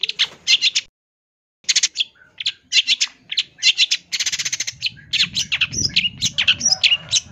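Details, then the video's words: Long-tailed shrike giving full-isian song, a recording used to train other birds: a varied, fast medley of chirps, trills and squeaky notes, broken by a short pause, then a dense rattling run and sharp whistled phrases, with some low rumbling noise underneath. "MASTERAN SUARA BURUNG CENDET FULL ISIAN CENDET JUARA"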